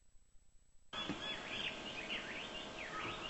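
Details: A jungle bush quail (Perdicula asiatica) at Jamoda Padav, Melghat, India, gives thin, arched chirping notes in quick succession, partly buried under steady broadband hiss.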